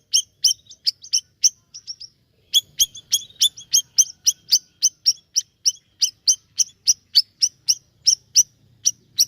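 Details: Siri-siri bird singing energetically, a long run of crisp high-pitched chirps repeated roughly three to four per second with short doubled notes early on.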